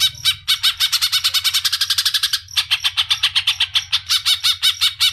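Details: Female greater green leafbird calling for the male with rapid, rasping pulsed notes repeated in quick rows. One brief pause falls partway through, over a constant low background hum.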